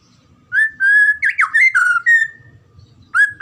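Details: Murai batu, the white-rumped shama, singing 'gacor' for pancingan and masteran: after brief quiet, a burst of loud whistled notes with sharp rising and falling slurs, a pause, then a new rising whistle.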